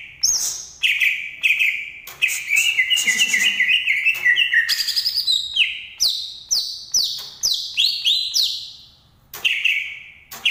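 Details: Green leafbird from Banyuwangi in long continuous song, a rapid chain of bright whistles and trills climbing from mid to high pitch in stepped downslurs, phrases running back to back.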